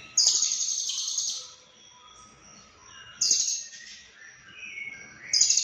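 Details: Lovebird song, two or three loud bursts of shrill, harsh chattering notes separated by quieter gaps with softer twittering.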